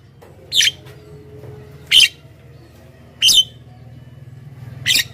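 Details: Javan myna lure recording: four brief rasping, buzzy bursts roughly every one and a half seconds against near silence and a soft low hum.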